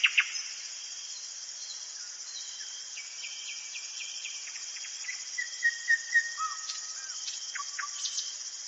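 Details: Common nightingale singing at night in a forest: sharp clicks, then a run of short flat whistled notes and a looping whistle, over a steady high-pitched background whine.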